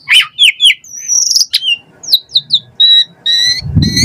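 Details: Asian pied starling in full, varied chattering song, used as a lure to make captive starlings sing: bright whistled slurs and squeaky notes in quick succession, closing with repeated rising whistles over a low rumbling noise.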